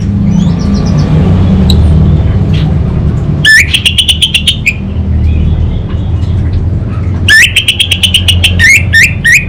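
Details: Orange-headed thrush, gacor 'kabel konslet' style: two long volleys of rapid, rattling, buzzy notes, each followed by sharper upswept notes. Faint hum and distant traffic-like rumble throughout.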